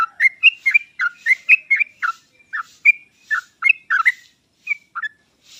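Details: Sooty-headed bulbul singing, offered as a master track to prompt hesitant birds: jaunty, rising and falling whistled notes given about once a second in loose, irregular phrases.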